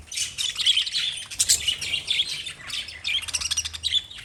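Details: Lovebirds chirping: a dense, continuous stream of high, thin chirps and tweets that rise and fall in rapid bursts, with short pauses and no other clear sounds.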